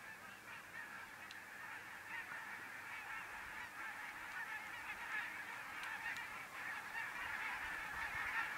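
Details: Thousands of Arctic barnacle geese on migration, stopped over in central Finland: a dense, continuous chorus of short yapping honks overlapping from many birds, swelling slightly louder toward the end, with a few sharper barks standing out.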